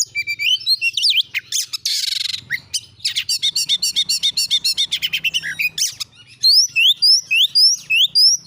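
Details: Oriental magpie-robin song as a lure to make a kept bird sing: varied whistles and a buzzy rasp, a rapid string of repeated chirps, then loud rising whistled notes repeated about every half second.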